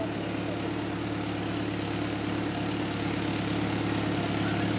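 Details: A steady idling engine hum with a low, regular throb fills the whole stretch, and no animal call stands out.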